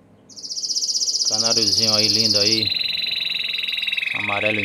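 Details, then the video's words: Singing Belgian canary, intense yellow, delivering a long high rolled trill that drops to a lower rattling tour, while a man talks over much of it. "CANÁRIO AMARELO INTENSO CANTANDO MUITO!!!"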